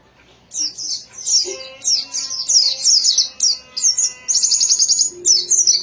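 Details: Caged white-eye in full song: loud, very high, continuous twittering warble of fast trills and chattering notes, delivered in dense bursts with short gaps.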